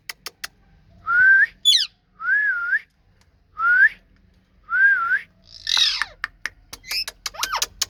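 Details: A talking rose-ringed (ringneck) parakeet gives four clear, whistled rise-and-fall phrases about a second apart, then a burst of harsh squawks and sharp clicks.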